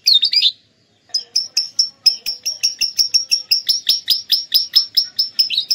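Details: Atlantic canary singing lovebird-style phrases, kept as a training and lure bird near Klaten: a short high chatter, a pause, then about twenty sharp, evenly spaced high chips, roughly four per second, gradually lowering slightly.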